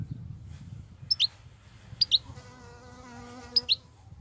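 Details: European goldfinch, wild, singing nonstop in 'batbatat' style: three pairs of bright, falling chirps spaced about a second apart, while a droning buzz with layered tones hums beneath the middle section.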